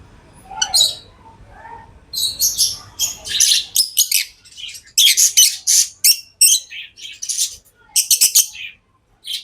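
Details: Lovebirds kept as pets chatter in dense bursts of harsh, high chirps and squeaks, fast and irregular, with a faint low hum early on.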